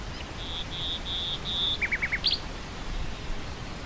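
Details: Nightingale singing over wind through grassland: a run of four long, level, pure whistles, then a quick series of four lower repeated notes and a sharp high flourish, with steady breezy hiss beneath.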